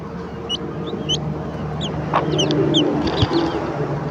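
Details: Hen clucking to call her chicks to breakfast; the chicks answer with thin, high, downward-sliding peeps scattered throughout, and a single short cluck comes midway, all over a steady low background hum.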